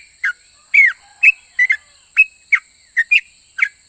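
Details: Sooty-headed bulbul in lively 'ropel' song, said to trigger responses from other bulbuls. A handful of bright whistles, one longer slurred note among them, are spaced irregularly against a constant high hiss.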